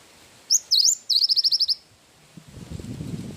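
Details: Cinereous tit singing actively with a wingko-style fill: two high upward-sweeping whistles, then a fast run of about eight sharp, bright notes. Faint rumbling noise follows near the end.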